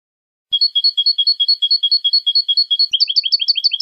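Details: Goldfinch tutor song, clean style, 2015. After a silent start, a steady run of paired, level, ringing notes repeats quickly for over two seconds, then switches to faster, flicking, up-and-down chirps. No other sounds are present.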